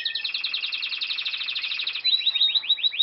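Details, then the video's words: A canary's song: a rapid rattling trill for two seconds, then a slower series of bright upward-sweeping whistled notes. "cantos nuevos de canarios"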